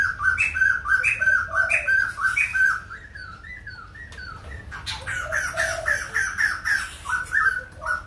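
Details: White-crested laughingthrushes at Kbang in a lively chorus of clipped, warbled whistles, rising and dropping notes tumbling over each other, fading briefly midway and then surging again, with a faint low hum beneath.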